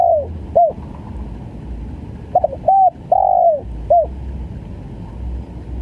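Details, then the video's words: Spotted dove, known locally as tekukur, giving a stuttering coo call: short clipped notes, a level coo, then a long drawn, falling, slightly rough coo and a final short note, over low steady background hum. "SUARA TEKUKUR||GAGAP FUL"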